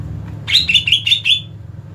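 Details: Agitated 'ngentrok' song of a greater green leafbird, meant to provoke rival leafbirds; five quick bright chirped notes in under a second over a low mechanical hum.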